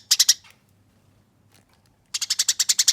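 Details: Harsh, clear rolling fighting song of a Eurasian tree sparrow meant for training: three or four sharp high chirps, a long quiet gap, then a fast run of about ten chirps.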